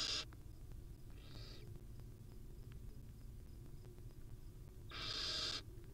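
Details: Wild barn owls, a mother cuddling her babies at the nest: a short hiss, a softer one a second later, then after a pause of three seconds a loud, harsh, drawn-out screech, with a steady low hum beneath.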